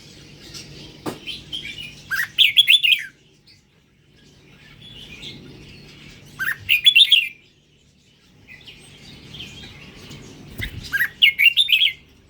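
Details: Red-whiskered bulbul of the Indonesian strain singing: three bursts of bright warbling notes about four seconds apart, rising then jumbled at high pitch, with fainter chatter between and a low steady hum beneath.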